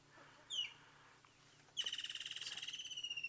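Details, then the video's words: On a warm evening sunset safari on 13 March 2017, a Woodland Kingfisher calls from behind the guide: a sharp, high, falling note, then a loud, fast, ringing trill that slides slowly downward. "don't know if you guys can hear that bird calling as well so there's a bird chirping away behind me and that's a woodland Kingfisher"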